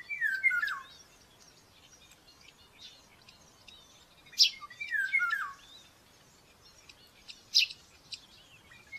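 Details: Begging from a baby common buzzard at its nest in Tiszalök, Hungary, filmed by nest camera during a morning feeding on May 5, 2024: two drawn-out descending mewing calls, joined by sharp clicks and high chirps from small birds.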